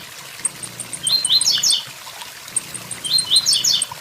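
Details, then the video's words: A blue-black grassquit repeats its "tui tui zel zel" song: two phrases of rising notes ending in a rapid knot of sound, preceded by a string of faint high ticks. Waterfall noise runs throughout. "Tiziu tui tui zel zel com som de cachoeira"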